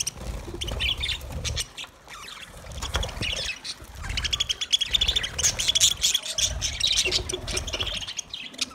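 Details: Budgies warbling in fast, buzzy, high-pitched strings, a few clearer whistled notes in the middle, over a steady low murmur.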